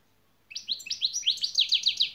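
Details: European goldfinch delivering a şak şak phrase from song lessons: a fast, evenly paced string of high, ringing, upslurred notes, about a dozen in under two seconds, clean and loud.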